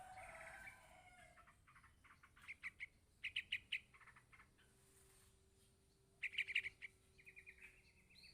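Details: Yellow-vented bulbul chick calling its parent, with several bursts of quick, high chirps of varying loudness, soft tonal sounds at the start, and a short twittering trill near the end.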